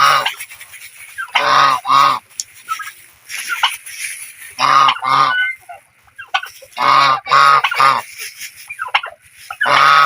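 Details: Geese splashing and playing in water, honking in short bursts of two or three loud, brassy calls separated by quieter stretches, with faint background chatter between bursts.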